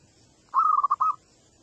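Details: Wild local young zebra dove singing to set off other doves: one phrase of a sustained coo that breaks into a few rapid pulsing notes.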